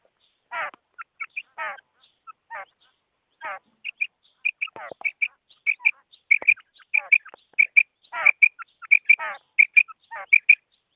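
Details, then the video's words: Female quail call: a few buzzy, rasping notes at the start, then increasingly rapid high, clipped notes, often paired and about ninety per minute. Silence lies between the calls. "Female quail sound,Madi batair ki awaz,mada barair ki awaaz,bater ki awaaz"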